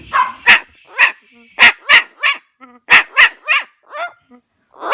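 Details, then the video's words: Elderly rescued parrot copies a dog's bark, giving a rapid string of abrupt, harsh yaps, often in doubled bursts, with a brief squeaky note among them. "the barking parrot!"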